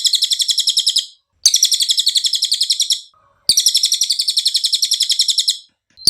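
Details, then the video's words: Cililin recorded for masteran: three high, rapid trills of densely repeated buzzy notes, each about one and a half to two seconds, with short quiet breaks between them. "MASTERAN CILILIN SUARA JERNIH"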